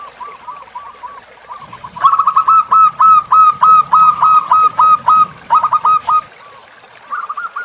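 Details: Zebra dove song used as a tutor recording for captive birds, set against river sounds: a fast run of clear, arched cooing notes about three per second, with lower pulsing water-like noise beneath.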